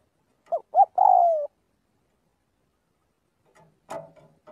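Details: Spotted dove calling its flock during daily voice practice: two short rising notes, then a long, drawn-out coo that slides downward. A faint rustle and a brief scratchy sound follow after a pause.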